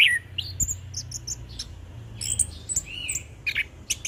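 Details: Orange-headed thrush singing ngeplong style: fast, thin, high twittering and slurred whistles, fairly quiet over a low background hum.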